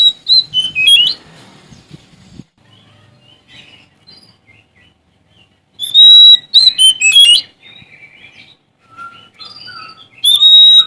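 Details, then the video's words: Oriental magpie-robin of the Sumatran kacer type, singing actively to challenge rivals. Loud bursts of sharp whistles and twittering trills are broken by quieter stretches of soft scratchy notes and brief low whistles. "Suara Asli Kacer Sumatra Gacor Cari Lawan"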